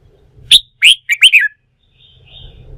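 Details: Red-whiskered bulbul, a wild-caught bird urged into song for song-fighting training, sings one loud, quick phrase of five sharp, ringing whistled notes dropping at the end, then faint twittering over low background noise.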